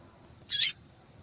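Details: Female Double-collared seedeater calling to excite males; one loud, slightly drawn-out high chip of about a quarter second, very high in pitch, against a quiet low hiss.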